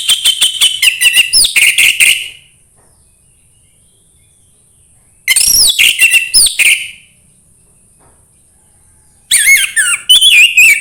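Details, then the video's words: Orange-headed thrush singing, used to encourage another bird to sing often: three bursts of fast, varied whistles with slurred rising and falling notes and scratchy chatter, each lasting about two seconds, separated by silent gaps. "anis merah sulit gacor coba PUTAR suara burung ini"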